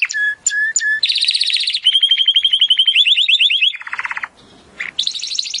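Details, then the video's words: Training song of a Timbrado canary: a few spaced low whistles, then long rapid rattling rolls, a run of upswept notes and a buzzy trill, with a brief pause near the end. "AUDIO mas PODEROSO de TIMBRADO para el ENTRENAMIENTO"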